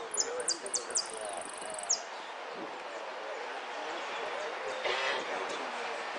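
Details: Saffron finch entered in the yellow 'sin cierre' class of an Irupe singing contest on 3 January 2016; opens with bright repeated high chirps and a thin trill for two seconds, followed by noisy surroundings and a brief voice.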